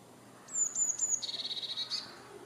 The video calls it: Eurasian Blue Tit Bird Song